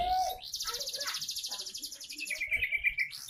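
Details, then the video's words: Young canary singing: a fast, high rolling trill held for nearly two seconds, then a lower steady warbled trill, with short chirps and slurred notes at the start. "Burung canary isian bukan main masih muda mental juara"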